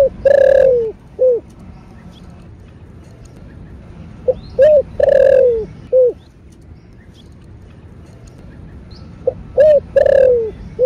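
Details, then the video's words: Spotted dove in the thổ bầu voice. Repeated low mellow coo phrases, about three across the span, each a quick pair of notes, a long sliding downward coo and a short final note, over soft low hum. "Cu gáy giọng thổ bầu GÁY GỌI + THÚC . Tiếng Chim Cu Gáy Kích Bổi"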